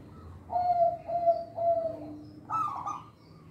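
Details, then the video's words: Local zebra dove, singing to attract and train young birds: three level, soft cooing notes in a row, then a higher, rougher rolling burst near the end. "Perkutut Lokal Suara Istimewa, Pemikat Bakalan"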